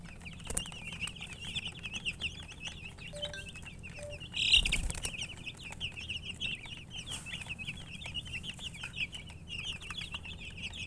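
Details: Several chicken chicks peeping nonstop, thin high chirps packed closely together, with a loud thump or rustle around the middle and a steady low background hum.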